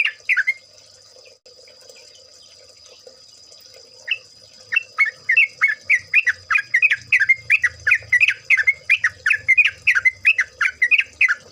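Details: Yellow-vented Bulbul song for luring: a few bubbly chirps, a quiet gap of several seconds, then a sustained, busy chatter of slurred liquid notes, three or so a second, over a faint low rumble and high hum.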